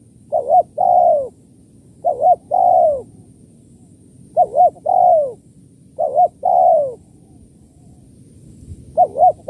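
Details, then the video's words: Repeated kuk 1-2 cooing of a spotted dove, used as a lure for doves: four full phrases of two short coos plus one long falling coo, spaced roughly every two seconds, and a fifth phrase beginning. "suara tekukur kuk 1-2 // pikat tekukur"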